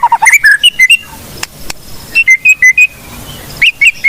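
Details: Caged blorok white-rumped shama giving a training song of short clear whistled notes in spaced groups, some rising, with a couple of sharp clicks between phrases.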